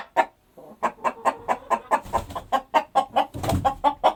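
A chicken clucks steadily, about four short, mid-pitched, slightly nasal notes a second, with a few soft low rumbles in the background.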